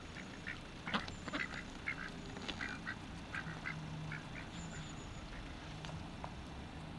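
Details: Kept ducks at feeding time, several birds giving harsh, irregular quacks in short bursts, some overlapping, over a steady background hiss.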